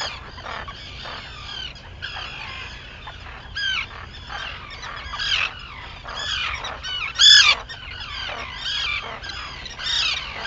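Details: Chorus of Arctic terns on Maine's Seal Island at sunrise, 11 June 2018: rasping, downslurred calls come in bursts, several birds overlapping, one loud close call near the seventh second, over a low background hum.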